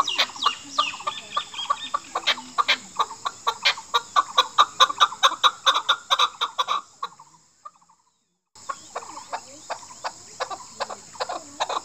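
Chukar partridge giving harsh, rapid clucking chuck notes, more than two a second, breaking off briefly then resuming, over a steady high hiss.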